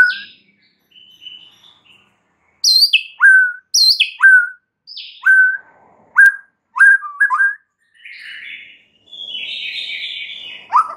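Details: White-rumped shama song used as a lure to rouse other shamas: a series of loud whistled notes, each sweeping down sharply and ending in a short level tone, with softer chattering and a buzzy phrase near the end.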